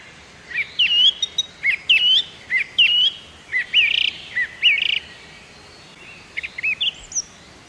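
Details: Eastern cattle egret chicks being fed give thin, high, upslurred squeaky chirps, about one a second, in an uneven run with brief pauses, against a quiet outdoor background.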